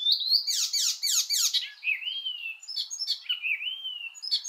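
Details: Icterine Warbler delivering a rush of harsh, scratchy notes followed by drawn-out, wavering whistles, interspersed with short high chips; the song runs without a break.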